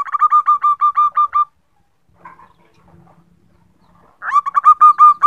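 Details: Female zebra dove calling the male, used as a lure: two bursts of rapid, evenly spaced cooing notes, each lasting over a second, with a quiet gap of soft shuffling between them.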